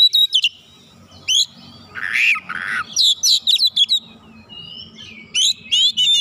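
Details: Oriental magpie-robin (kacer) responding insistently with learned phrases: fast clusters of sharp high chirps and whistles, broken midway by two harsh rasping squawks, then more quick chattering notes.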